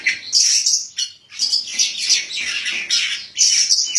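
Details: Contest-winning white-breasted magpie-robin (Kacer Poci), Bupati Cup 2017, sings loud high buzzy phrases and shrill chirps in bursts separated by brief pauses.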